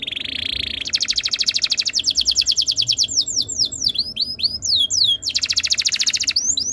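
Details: Canary master song intended to make other canaries join in: a steady buzzy tone, a long fast pulsing trill, then a run of descending whistled slurs and another quick trill.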